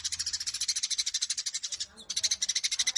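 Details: Eurasian tree sparrow in fighting mode, 'Cililin' combination style: rapid series of high, harsh chirps at about three per second, broken by a short gap mid-run.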